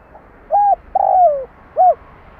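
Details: Spotted dove kept as a decoy to lure wild doves gives one phrase of three hollow coos, a brief opener, a drawn-out falling middle note and a short closing coo, over a faint low rumble.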